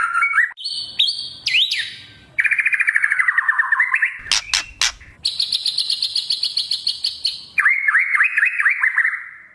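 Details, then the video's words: White-rumped shama kretekan lure for spotted young and adult shamas: rising whistled notes, a long rapid buzzy trill sliding upward, sharp clicks, a high fast rattle, then a lower pulsed trill. "Pancingan murai trotol agar ngeplong dan murai batu pastol bunyi gacor | Kretekan murai batu 13"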